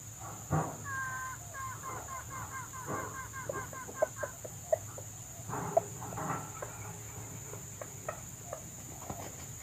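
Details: Wild red junglefowl drawn in by a trapper's lure, with a hen arriving: a quick run of short harmonic clucking notes early on, then scattered sharp clucks and clicks over a steady low hum and constant high hiss.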